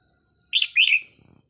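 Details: In the morning, while trapping wild red-whiskered bulbuls with a decoy, a bulbul gives one quick, bright, liquid phrase of two chirpy warbled notes over a steady high insect-like hum, then a faint rustle.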